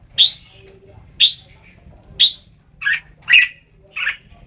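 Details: Red-whiskered bulbul song: three clear, sharp, upward-flicking notes about a second apart, followed by a husky buzzy note, a bright ringing note and a final rough chirp; faint low rumble behind.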